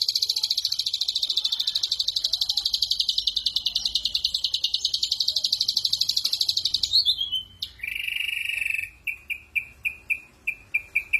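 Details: Ashy drongo delivering harsh 'shot' song: a dense, rasping, high rattle held for about seven seconds, a falling slur, then a lower series of short clipped notes repeated at a slower pace.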